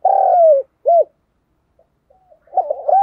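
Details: Cooing spotted dove, used to prompt other doves to coo: a long smooth hoot sliding downward, a short rounded note, a pause with faint traces, then a wavering coo starting again.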